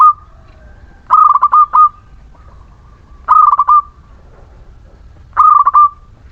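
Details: Local Muria zebra dove singing steadily as a lure to prompt reluctant doves to sing: three cooing phrases of rapid stuttered notes ending in a drawn-out tone, about every two seconds, over a low background hum.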